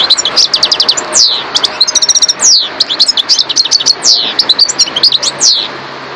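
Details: European goldfinch in full song, a bright, continuous twitter of quick tinkling notes, rapid trills and descending buzzy slurs, loud and close throughout.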